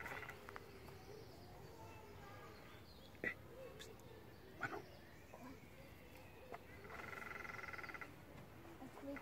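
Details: Lesser spotted woodpecker drumming at Parc de la Poudrerie on 23 April 2019: one fast, even roll of taps lasting about a second near the end, after a few isolated sharp knocks, with soft human voices in the background.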